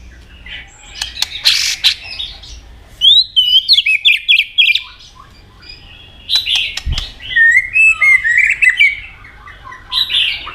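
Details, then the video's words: White-rumped shama in competitive singing with tail flicking: bursts of rapid, varied, twittering and whistled phrases separated by quiet gaps, including a dull thump midway. "chòe lửa hót nhiều giọng nết búng cầu.kích chòe lửa hót đấu đập đuôi căng lửa"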